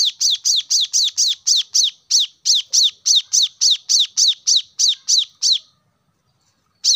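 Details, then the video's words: Plain-throated sunbird chattering to stimulate caged birds: a long steady string of about twenty rapid high sharp chips, then silence and one more note. "kolibri kelapa | wiceh | manggar | cuitan korlap gacor untuk burung agar cepat rajin bunyi gacor"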